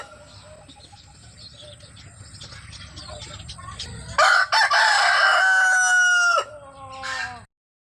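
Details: Hen calling: after a few seconds of faint background noise, one loud drawn-out harmonic cry holds steady for about two seconds, breaks off sharply, then trails into a softer falling tail.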